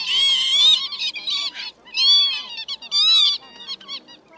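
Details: Northern lapwing lure recording for night-net trapping of migrating birds, meant to call in flocks of males and females: three wheezy, nasal, slurred calls that rise then fall, about a second apart, with rough buzzy notes between them.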